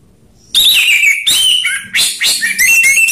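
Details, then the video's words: Orange-headed thrush song, rough and slow styles combined to lure other birds into singing: loud rich whistled phrases sliding down in pitch, starting after half a second of quiet and broken by short pauses. "Perang Anis Merah Ngeplong/ suara kasar vs suara slow"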